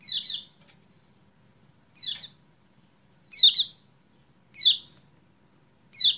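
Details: Kecial kuning, recorded as a lure to coax a bird that has stopped singing: short sharp chirps with trills, high-pitched and bright, given in bursts roughly every one to two seconds with quiet gaps between.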